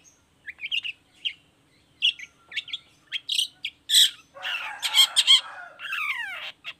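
Long-tailed shrike giving a varied, scratchy song of short chirps and squawks that builds into a harsh, mimicking rush ending in falling whistles.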